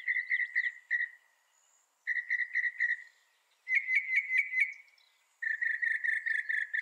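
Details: Mockingbird singing in bursts of rapid, evenly spaced chirps, each burst a repeated note, with a brief rising trill midway, separated by short pauses; no other sounds.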